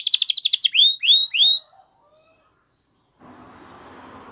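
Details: Spanish Timbrado canary song for training: a fast high trill, then three upward-curving whistled notes, followed by near silence and soft background noise.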